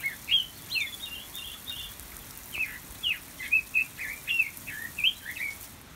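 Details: Pekin robin, the red-billed leiothrix, singing in an aviary: a fast series of clear, slurred whistled notes, some sweeping up and others dropping, delivered in a bubbly, continuous phrase.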